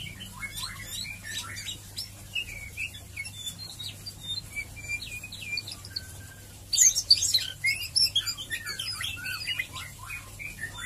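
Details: Murai batu (white-rumped shama) in the fast ngeriwik ngeplong song used to lure other birds to sing: rapid high chirps and short whistles, with a louder, busier burst of sharp notes after a brief pause, over a steady low hum.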